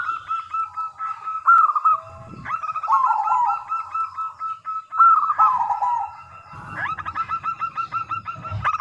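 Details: Lure song of a local zebra dove used to make other doves answer: steady strings of short, bent coos, with lower rolling phrases at intervals and a thin high chirping in the background.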